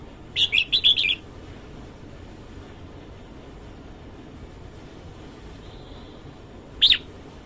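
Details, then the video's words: Morning song of a red-whiskered bulbul: a rapid phrase of four or five chirpy, warbling notes, a long quiet pause, then one sharp single note near the end. "Chào mào hót sáng"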